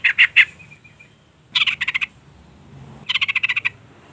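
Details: Female sooty-headed bulbul calling to draw a male: three loud harsh notes, a faint thin whistle, then two rapid rattling bursts of six to eight clipped pulses each, separated by quiet pauses.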